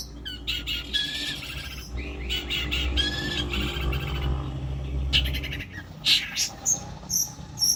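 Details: Long-tailed shrike training song full of imitated calls: varied squeaky whistles, scratchy rattles and short bursts, ending with sharp, separate high chirps at roughly half-second intervals, over a low rumbling background.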